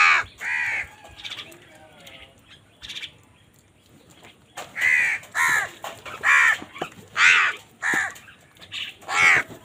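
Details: Crows fighting over food give loud harsh caws, a rapid cluster at the start, then broad grating caws repeated about every second through the second half, with softer calls between.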